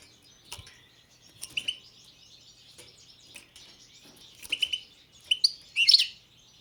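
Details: Song of a European goldfinch, Balkan subspecies balcanica: scattered high, thin chirps and short twittering bursts, fainter at first, building to a denser, louder jingling phrase near the end, over a quiet background.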